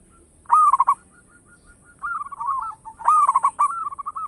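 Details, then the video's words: Loud local zebra dove kept as a lure: two sharp stuttering bursts of hooked notes, a few faint soft pips between them, and rolling, bubbling coos after each burst. "Perkutut lokal gacor suara besar bikin gempar bunyi seteras cocok buat pancingan"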